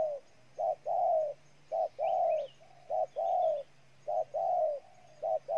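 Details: Spotted dove calling in Ninh Thuận, Vietnam: rhythmic two-part coos, a short note and a fuller longer one, repeated about once a second, with a low steady hum and a faint chirp behind.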